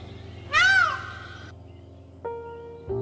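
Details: Peacock letting out a single loud, nasal, arching wail lasting about half a second, with background music throughout.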